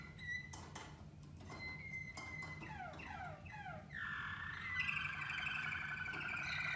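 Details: Waterslager canaries during song training: scattered clicks and short pure whistles, then a run of quick downward-sweeping notes leading into a sustained, buzzy rolling trill.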